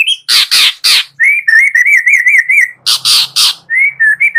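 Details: Morning lure recording of a white-rumped shama for prompting shamas to sing: harsh rasping bursts alternate with fast warbled whistles wavering around a steady pitch.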